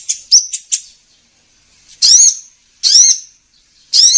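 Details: Kolibri ninja sunbird lure for bird trappers: a brief cluster of soft high ticks, a pause, then three strong sharp arching chirps roughly a second apart.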